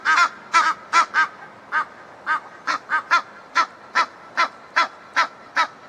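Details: Egyptian geese, a pair in a backyard, honk in short, hoarse, ringing notes. They start fast, then space out to an even beat of roughly one honk every half second against a quiet background.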